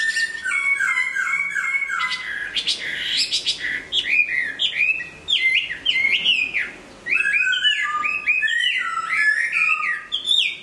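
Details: A moulting Hwamei sings a loud, varied run of rich whistles and sliding notes, with phrases repeated in quick bursts and high, sharp chips between them.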